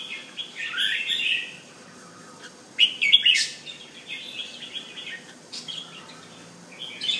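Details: Bulbul singing at home as a kept display bird, giving bursts of bright, liquid warbled notes separated by quiet gaps, with a louder cluster of sharp chirps midway and a final short phrase.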